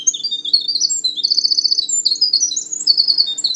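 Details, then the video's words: Winter Wren male singing early in the season from an elevated understory perch at Manchester Cedar Swamp Preserve, New Hampshire; a continuous, intricate cascade of very high, fast trills, buzzy rattles and tinkling warbles lasting over three seconds. "They have a long, beautiful and complex song which males sing often earlier in the season from an elevated perch in the understory."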